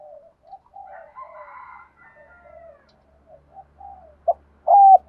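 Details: Spotted dove cooing to lure wild doves: a series of faint, low, wavering coos, then a short sharp note and a single loud level coo at the end.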